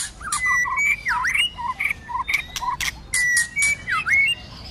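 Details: White-rumped shama in fighting song during the cold season, singing in many voices: clear level whistles alternating with lower short notes and swooping V-shaped slurs, with loud clicking snaps between phrases.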